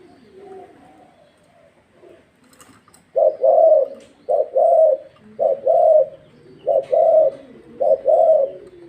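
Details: Thai spotted dove of the dragon-pattern type in training, starting with faint soft notes, then five clear repeated coos, each a brief note then a drawn-out warbling purr.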